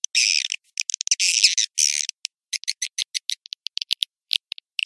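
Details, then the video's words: Swiftlet lure calls used to attract swiftlets to swiftlet houses: high, buzzy chattering bursts, then a rapid string of sharp, thin, clicking chirps several per second. "suara panggil walet"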